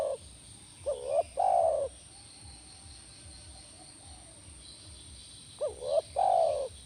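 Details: Spotted dove (tekukur) cooing, meant to prompt a caged dove to reply: paired low coos, a brief upswept note, then a drawn-out level one, given twice with a pause of about four seconds between.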